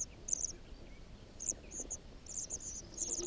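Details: White wagtail (Motacilla alba) at a nest giving thin, very high chirping notes in quick clusters, repeated every second or so, over a faint low background hum.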